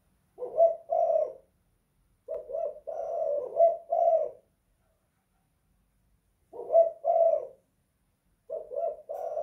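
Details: Spotted dove (tekukur) kept in a house calling in the 'kuk 2 / guk 1' manner: paired low coos given in bursts, including a run of several notes, separated by a long quiet gap.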